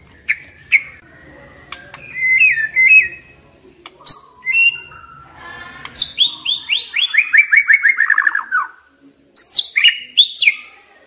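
A White-rumped shama sings a rich, varied song of clear whistles, buzzy notes and a quick series of descending slurred notes, with brief pauses between phrases.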